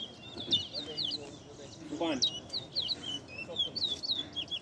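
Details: Large-billed seed finch (towa towa) in a singing competition at Ana Regina Park, Essequibo, Guyana, 2021: quick whistled slurred notes, rising and falling, repeated throughout while a man counts the songs aloud.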